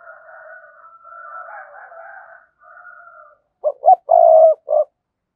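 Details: A 'cườm sa' spotted dove coos to prompt others: a softer, higher, drawn-out wavering cooing runs for three seconds. Then a loud, close four-note phrase follows, with a long purring centre note.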